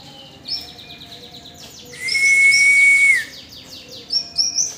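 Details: Yellow-bellied warbler, tame and singing freely. High thin notes lead into a loud, sustained, level whistle with a hissing edge, then more quick, sharp, high chirps.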